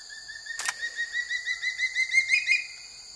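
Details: Sub-adult changeable (crested) hawk-eagle on an egret kill, evening in Bandipur tiger reserve, Karnataka: a quick series of whistled notes repeated about three times a second, rising in pitch toward the end, with one brief flap-like rustle early on.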